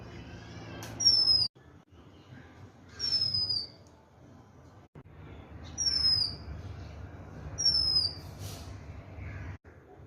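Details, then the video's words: Oriental magpie-robin repeating a bright, high whistle that slides down in pitch, four times at intervals of about two to three seconds, against quiet low rumbling background noise. "Oriental magpie-robinBird's sound"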